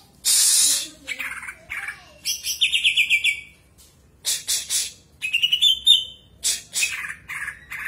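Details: Greater green leafbird singing as a lure to make other birds sing regularly: a harsh hissing burst, then fast high trilled phrases, sharp clicks and chattering notes with brief pauses between bursts.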